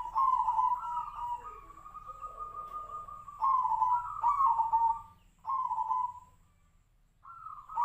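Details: Tejoanom-style zebra dove, judged for its unique monotone voice in half beats closing with up to three beats: long connected cooing phrases with stepped pitch rises, then shorter coos after quiet gaps.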